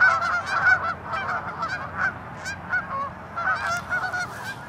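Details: Tundra swans at Ninth Line, Mississauga, Ontario, Canada, on 16 March 2013, among geese and ducks, give a steady chorus of soft, high, hooting whoops, several birds overlapping every second or so.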